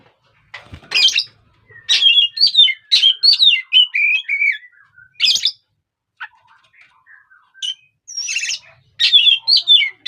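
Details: Oriental magpie-robin sound for provoking other birds, bright whistled phrases rising and falling in quick succession, interspersed with harsh raspy notes and brief pauses.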